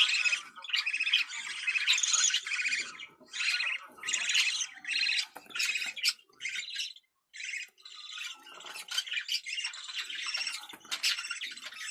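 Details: Budgerigar mating call to prompt breeding: choppy bursts of grating chatter alternating with short quiet gaps, including a near-silent break around the middle, then dense warbling again.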